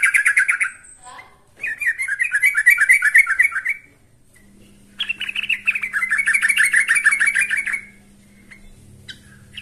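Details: Yellow-vented bulbul singing loudly to call a rival: two long bursts of quick, bubbly, chattering notes, each about three seconds long, with a low steady hum beneath the second half.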